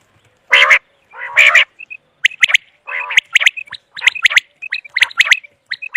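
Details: Common quail calls played for quail hunting: loud, harsh, buzzy bursts alternate with short clear whistled notes and sharp clicking strokes, uneven rhythm, about one call per second, no other sounds.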